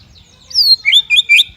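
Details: Shama song fragment: a high, thin whistle, then three or four bright, warbled whistled notes that rise and fall, delivered in quick succession.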